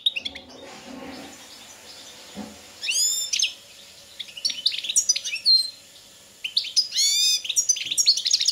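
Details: European goldfinch (subspecies balcanica) competing in a 2022 song championship: after a few noisy seconds, bright upslurred whistles and clipped twittering phrases arrive in bursts, ending in a run of rising chirps.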